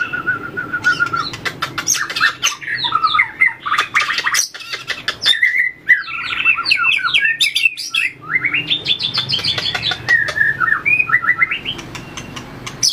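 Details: White-rumped shama in a cage practising fighting song with tail flicking: continuous dense run of quick whistled, chattering and squeaky notes, broken by sharp tapping clicks throughout.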